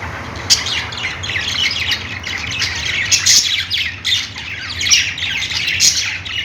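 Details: Chattering budgerigars: many fast, grating chirps and high squeaks tumbling over one another without a break, above a low hum.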